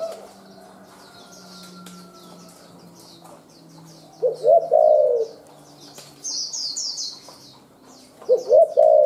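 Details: Wild forest spotted dove in rapid calling: several quiet seconds of chirping small birds, then a burst of short coos near the middle and another coo phrase at the end, each under a second.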